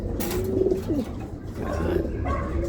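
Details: Racing pigeons give low throaty coos, two short bubbling rolls close together, then another coo after a pause, over constant low rumbling noise.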